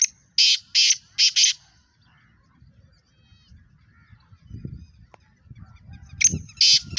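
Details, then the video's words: A fast-calling Pakistani kala teetar (black francolin) opens with four harsh, scratchy notes in rapid rhythm; after a quiet stretch with faint low noise, a second grating series begins near the end. "Speeder kala Teetar One Minute Eleven Voices Pakistani Fastest Kala Teetar Chakri Wala Teetar"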